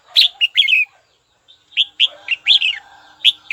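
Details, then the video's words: A red-whiskered bulbul sings to call a rival: a fast series of bright, bubbling whistled notes, a brief pause, then more rising and falling chirps in quick succession. "Chào mào gọi bổi tố chất nhất"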